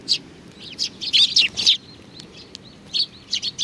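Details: Several sparrows at a shrine on 4 July 2019, giving short high chirps in loose bursts, with quiet gaps between clusters of notes.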